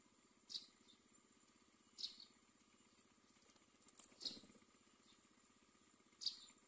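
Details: Myna at a nest with chicks while a snake is in the nest: short harsh, rasping screeches repeated roughly every one and a half to two seconds, five bursts in all, over a steady low engine-like drone.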